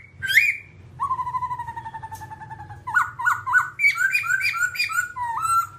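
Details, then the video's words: Babbler, an all-black bird, singing with a sharp squawk, then a long, level, slightly falling whistle. Quick, bright, rising two-note whistled phrases follow, repeated about twice a second, then a final rising whistle. The room is quiet apart from a low hum. "birds Timaliidae singing"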